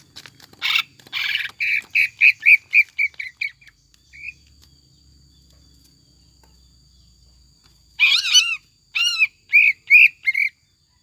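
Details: Greater green leafbird lure recording with mimicked notes, for getting a pet leafbird into steady song: harsh notes giving way to a rapid string of short chirps, a silent gap, then arched whistled notes repeated about twice a second.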